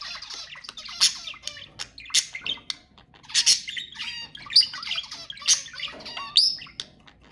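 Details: Budgerigars chattering to stimulate mating: dense bursts of squawks, clicks and warbled chirps, several loud harsh notes about once a second over continuous busy twittering.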